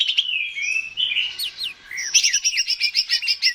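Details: Greater green leafbird, kept bird, song to spur singing: smooth sliding whistles and upward slurs followed by a fast run of sharp repeated high notes.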